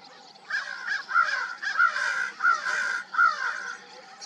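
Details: Several crows calling at dawn, loud raspy caws running together and overlapping in four main bursts, each drawn out and harsh, spaced roughly every half to three quarters of a second.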